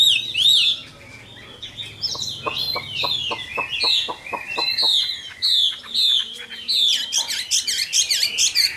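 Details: Chinese hwamei, a caged bird caught wild as an adult, pouring out bright slurred whistles and rapid repeated notes, over a run of regular soft clicks; the song grows denser and more trilled toward the end.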